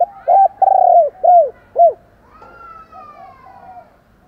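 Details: Spotted dove giving a morning fighting coo, loud and close: a run of low, hollow notes, a short burst, a long drawn note, then two clipped coos, with softer distant cooing after.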